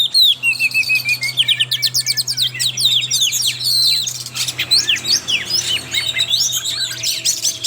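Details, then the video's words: Oriental magpie-robin song used as a lure to get young birds singing: a dense, fast stream of varied whistles, trills and sharp chirps over a steady low hum. "Pancingan suara Kacer trotol BIKIN KACER NGEPLAY"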